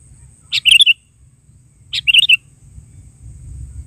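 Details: Sooty-headed bulbul in vigorous gacor calling, natural voice: two quick bubbly phrases of four to five short chirping notes, about a second and a half apart, over a low background rumble.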